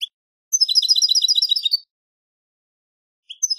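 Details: European goldfinch singing from a song tape: a fast, even twittering phrase of bright tinkling notes lasting over a second, closing on a drawn note. Short fragments follow at the start and end amid silence.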